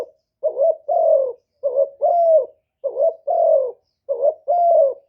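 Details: Spotted dove serving as a lure bird, its one-ending call meant to draw wild doves: mellow double coos, a short wavy note and a longer held one, four pairs at a steady pace.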